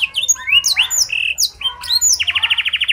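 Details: Canary with blackthroat-style song fill, a clear-voiced master recording to prompt other canaries to sing: sweeping whistles and chirps, then a fast buzzy trill of rapid repeated notes near the end.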